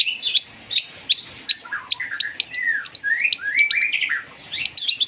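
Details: Long-tailed shrike with mimicked fighting-sparrow and lovebird material: sharp chirps giving way to rising and falling whistled slurs interwoven with squeaky chatter.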